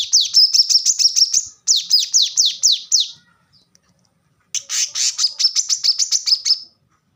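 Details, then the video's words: Plain-throated sunbird master song of high, rapid chirping trills, two bursts with slightly falling, sweeping notes, a pause, then another dense run ending abruptly. "kolibri kelapa | manggar | wiceh | korlap gacor tembakan rapat masteran burung bahan"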